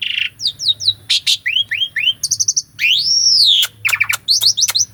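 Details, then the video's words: An Asian pied starling in a cage sings master material with varied fillers: a buzzy note, three curling downward-slurred whistles, a brief rapid trill, then one long arching whistled sweep and quick chattering notes. "KICAUAN BURUNG JALAK SUREN UNTUK MASTERAN JALAK MACET DENGAN SUARA YANG MERDU INI..!!"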